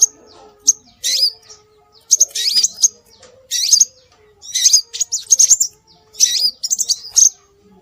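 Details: Scarlet minivet (sepah raja) calls used to attract birds: spaced bursts of high, thin chips and curling upslurred whistles, each group lasting under a second, with quiet gaps between.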